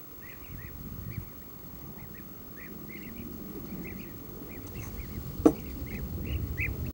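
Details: European bee-eaters give steady streams of short, trilled, rolling calls, often doubled, from several birds at once, with low rumbling background noise and a single sharp click toward the end.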